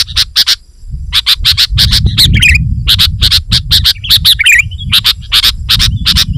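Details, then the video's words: Sooty-headed bulbul giving lively 'gacor' song to lure wild bulbuls: clusters of quick sharp chips with a couple of gurgling warbled notes, low rumble throughout. "Suara Burung KUTILANG GACOR Rapat Menekan Lawan Ampuh Untuk Memikat BURUNG KUTILANG Liar"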